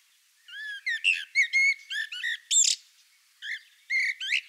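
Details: Common blackbird singing a melodious phrase: mellow fluted whistles gliding around mid pitch, followed by higher squeaky twittering notes, then a pause and a few more whistled and chattering notes.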